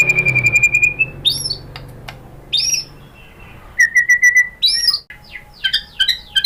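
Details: White-rumped shama, called murai batu, singing a lure song meant to provoke another shama into singing: long steady whistles and rich swooping phrases separated by short pauses.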